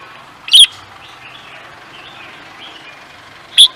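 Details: Songbird bred for singing competitions giving two single sharp, high chirps about three seconds apart, with quiet hiss between them.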